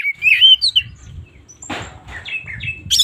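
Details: Morning song of an oriental magpie-robin: a bright rising whistle, then quick chirpy notes and a brief harsh rasp, ending in a high squeaky burst. A faint low rumble underneath.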